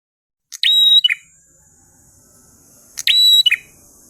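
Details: Prinia singing in the ngalun style: two phrases, each a sharp clicking burst, then a steady high whistle and a short lower buzzy trill, over a constant high hiss.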